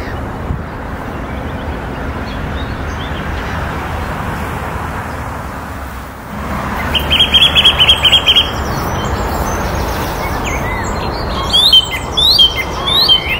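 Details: A nightingale (Luscinia luscinia) singing in spring near Theale, Reading, England, gives a quick run of repeated high notes, then a burst of varied whistles.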